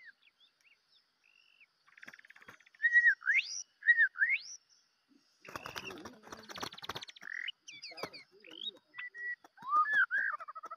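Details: Decoy white-rumped shama making short whistled notes that sweep steeply upward, with bursts of rustling noise midway and further varied whistles after.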